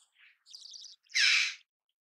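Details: Soft chattering notes lead into one loud, harsh, cawing call from a red-billed chough lasting about half a second.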